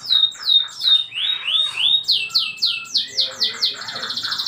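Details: Canary masteran training song for young canaries: repeated downslurred whistles, then a fast run of about ten sweeping high notes, ending in a buzzy rattle.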